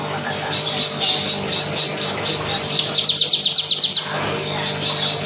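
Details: Bar-winged prinia of the crystal variety singing actively in rapid, dense bursts, with simple effect settings: high, thin chips repeated about four times a second, then a faster, brighter run of sharp ticks, then back to the steady chipping over a humming background.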